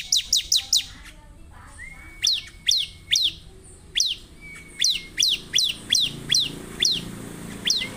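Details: Bar-winged prinia song opening with a fast string of five high ticks, followed by loud descending chirps repeated at an irregular, brisk pace, with thin whistled tones between.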